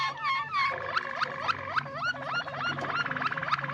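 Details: Yellow Waterslager canary singing: drawn-out whistled notes sliding downward, then a steady series of short down-slurred whistles, about four each second, with a low steady hum underneath.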